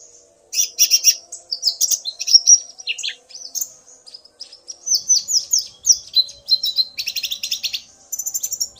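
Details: Male common iora singing after hearing a female call, the male and female answering each other. Long, busy passage of high whistles, buzzy chips and rapid trills with short pauses, louder rattling bursts near the end.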